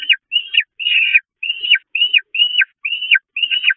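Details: Hungry Peregrine falcon nestlings at the Catharinakerk church, 5 May 2021, pestering their mother, who retreats to the grate: eight short, high, down-slurred wailing notes repeated about every half second.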